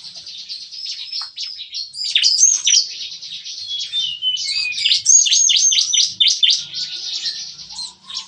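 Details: Bar-winged prinias in a breeding aviary cage on a morning, a lively chorus likened to rapid gunfire: dense, overlapping high chirps and sharp down-slurred notes pouring out without pause, several birds singing at once.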